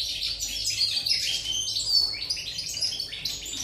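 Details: European goldfinch, 8 November 2019: a dense, high, bubbling twitter with ringing pure notes mixed into buzzy chattering, carrying on without a break.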